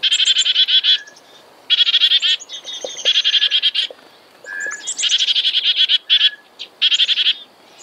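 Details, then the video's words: Black-capped chickadee giving loud scratchy bursts of fast repeated buzzy notes, broken by brief pauses and occasional thin whistles, in several volleys. "Black Capped Chickadee Bird Sound, Bird Song, Bird Call, Bird Calling Chirps, Listen Birds Chirping"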